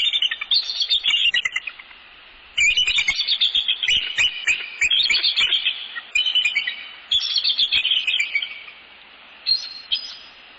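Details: Mated pair of bald eagles calling at their northeast Florida nest, 15 January 2019, evening, as they greet each other and tend the nest; repeated shrill, stuttering chitter phrases in four or five bursts, sharp and piercing.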